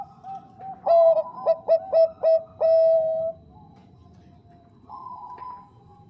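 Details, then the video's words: Female Bangkok-type zebra dove calling the male: a loud phrase of short rapid coos ending in a long held note, then soft distant cooing from other doves. "PERKUTUT BANGKOK GACOR SUARA JERNIH MENGUNDANG BUNYI"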